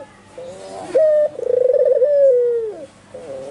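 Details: Albino white Barbary dove calling with full, vigorous cooing: a clipped note, then a rapid stuttering pulsed coo rolling into a long smooth falling tone, with a softer coo starting again at the end.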